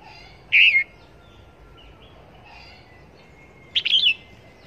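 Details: Red-whiskered bulbul decoy for trapping, recorded at Long Thành, gives two loud, warbling call phrases about three seconds apart, the second one broken and chattering, over soft background chirps.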